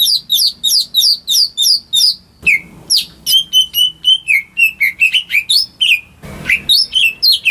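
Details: Greater green leafbird at home, singing as encouragement for birds that have gone quiet. A fast run of high trilled chirps leads into steadier whistled phrases of varied pitch, with a brief rustling interruption late on.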